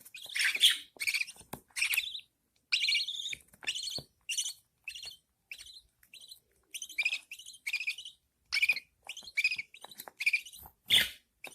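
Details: Budgerigar mother feeding her newborn chicks. The chicks give dense, harsh, buzzy chirps in irregular bursts, sometimes overlapping, with brief pauses between runs.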